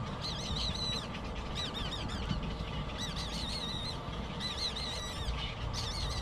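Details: Hungry baby bird crying for food before falling asleep: bursts of high, quavering squeals that warble up and down, repeated about every second and a half against constant low background hum.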